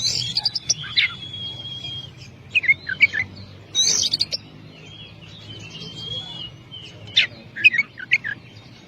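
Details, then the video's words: Oriental magpie-robin, locally Kacer or Klacer, in long loud song: scattered bursts of chips and sweet whistles separated by pauses, one long level whistle early on, over a quiet low hum. "Masteran burung Kacer/Klacer gacor dor nembak durasi panjang"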